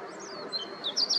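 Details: A meadow bunting (Emberiza cioides) during morning activity at Yanagishima coast, Chigasaki, Kanagawa, Japan, on 26 October 2023 gives a few thin, high, sharp call notes, clustered toward the end, over a soft background hiss.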